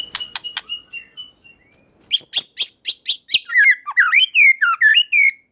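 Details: Song of a white-rumped shama, used to make rival shamas respond: a few sharp high chips, then a rapid loud run of harsh notes flowing into rich slurred whistles that swoop up and down.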